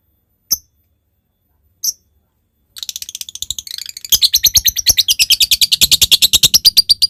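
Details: Lovebird lure for a rival bird: two isolated sharp chips, then soft rapid ticking that builds into a loud, long, high-pitched chattering trill.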